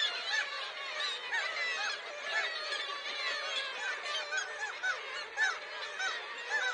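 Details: Gull flock in winter, a dense, continuous chorus of overlapping harsh, nasal calls rising and falling, many birds calling at once with no pauses and no other clear sounds.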